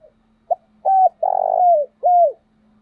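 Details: Wild dove cooing as a lure for other doves: a clipped note, then a short coo, a long buzzy hoot sliding down, and a final falling coo, over a faint low hum.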